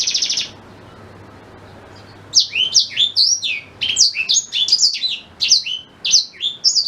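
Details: A black-throated canary's song meant for teaching a white-rumped shama: a brief buzzy trill, a quiet gap, then over four seconds of quick, high, rolling sweeps and twittering notes.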